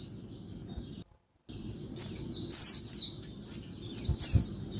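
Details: Female Oriental white-eye, daytime calls intended to rouse silent males: fainter high chirps, a short gap of silence, then loud downslurred squeaky notes in quick pairs, with a few low thumps.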